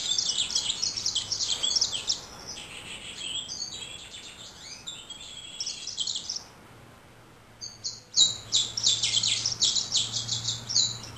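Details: Male yellow-rumped seedeater singing: a fast, high, jumbled run of sweet twittering notes in long phrases with short pauses between them, over faint background hum.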